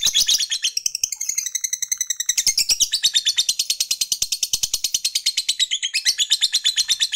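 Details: Fighter lovebird's ngekek song, used to provoke rivals and stimulate quick long ngekek: continuous rapid chattering trill of high buzzy notes, about seven per second, shifting in tone over several seconds with no pause.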